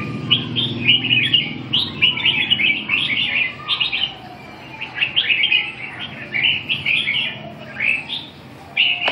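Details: Red-whiskered bulbul delivering a lively run of chirpy, warbled phrases in quick succession, rising and falling, with brief gaps between bursts and a faint low background rumble.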